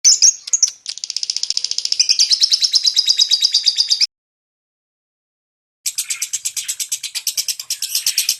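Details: Lovebird song in the rapid 'ngentik' style, played to prompt silent lovebirds to sing: dense, high buzzy chattering notes rattled off in a fast run, breaking off into a pause of almost two seconds before the rapid trill resumes.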